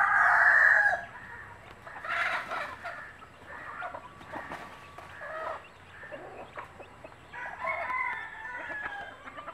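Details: Native chickens with chicks: a mother hen calls her babies to food with a particular clucking noise. One loud opening call, then softer, scattered clucks and faint high peeps.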